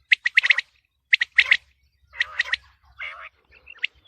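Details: Quail voice for the wheat season ahead: quick groups of sharp, high clicking chirps, then a rougher chattering burst and a few scattered notes amid quiet gaps.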